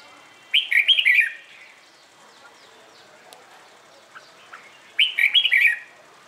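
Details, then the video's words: Red-whiskered bulbul singing in the morning, used in training birds for singing contests. Two rich, rapid whistled phrases about four seconds apart, with a few faint, soft notes in between. "CHÀO MÀO HÓT BUỔI SÁNG"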